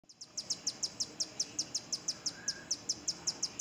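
A Rufous-tailed hummingbird gives a steady series of very high, thin, dry chips, about five each second, over a soft background hiss.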